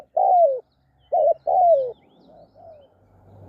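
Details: Spotted dove, tied to decoy trapping, calling with rich low coos. A long falling note is followed by a short wavering coo and another downslurred coo. Softer coos trail off over a faint low rumble.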